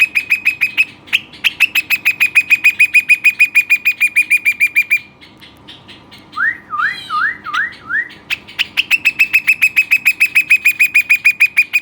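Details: A pet Western rock nuthatch gives long, fast rattling trills of sharp notes, broken midway by a short run of rising, looping whistles before the rapid trill resumes.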